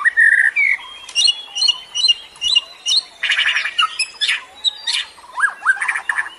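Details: White-rumped shama singing in a forest-sourced recording meant to stimulate captive birds still learning, with a mix of whistles, harsh buzzy bursts, chirps and rising slurred notes in uneven phrases.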